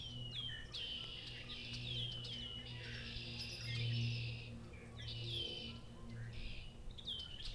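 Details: Red-winged blackbirds lead a farmland chorus at Appleton Farms in Massachusetts, with many other birds joining. Layered trills and sharp falling whistles overlap almost continuously, over a low steady hum.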